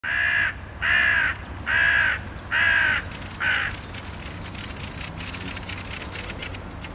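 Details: Hooded Crow in Helsinki, Finland, June 2013, heard in the background while a Common Blackbird sits alert on a lawn; five harsh, hoarse caws about one per second, then silence, with faint chatter and outdoor hiss.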